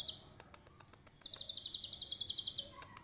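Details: Konin of the trotol type in a 'tembakan cililin' song: scattered sharp high ticks, then a sustained fast, very high rattling trill lasting about a second and a half.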